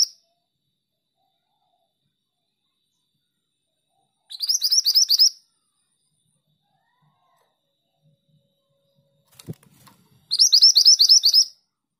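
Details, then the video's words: A female mantenan, the pied bushchat, in active song: two brief, rapid phrases of high, chattering notes several seconds apart, with a single soft knock or click between them and silence otherwise. "Burung mantenan betina gacor"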